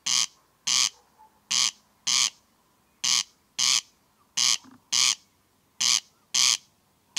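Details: A corncrake calling in darkness from tall meadow grass at night gives dry, rasping double notes, crex-crex, each pair about half a second apart, repeated steadily over a quiet background.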